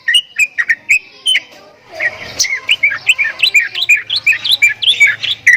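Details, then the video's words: Javan myna uttering strange sounds: a few clicky whistles, then a dense, fast jumble of twisting, warbled notes sliding up and down, rapidly repeated, with faint low hum underneath. "JALAK KEBO BEESUARA ANEH"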